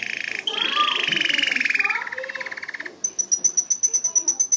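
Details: Canary singing a very fast, throbbing rolled trill that drops slightly in pitch, then switches to a high, thin trill of sharply repeated notes, about four per second.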